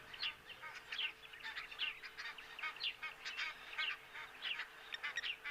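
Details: Egyptian geese alarm-call at a tawny eagle, a predator, near a waterhole where their goslings are. They give harsh, hoarse honks and cackles, several birds overlapping at about one call per second, over a steady low hum.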